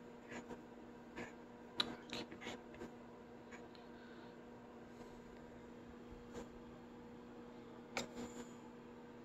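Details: Indoor room hum with scattered clicks and taps, and no animal vocalization.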